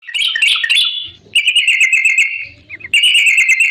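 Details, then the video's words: Yellow-vented bulbul in full lively voice, used as a lure to make other bulbuls answer; bright chattering notes run into fast, even rattling trills, with short pauses between bursts. "suara trucukan gacor ampuh bikin nyaut pancingan trucukan agar bunyi"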